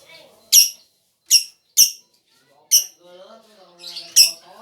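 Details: Lovebird calls used as a lure to attract other birds: sharp, harsh shrieks at irregular intervals, five loud bursts, with softer warbling, wavering tones running between them.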